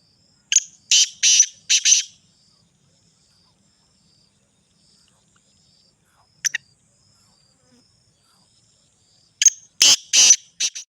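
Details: Black francolin, Sindhi type, calling in harsh, scratchy bursts: a run of four rasping notes, a single short note after a long quiet pause, then another rapid series of four grating notes.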